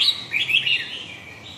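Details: Short burst of red-whiskered bulbul song, Huế type: a rapid run of lively, slurred whistled notes lasting under a second, fading into faint background hiss.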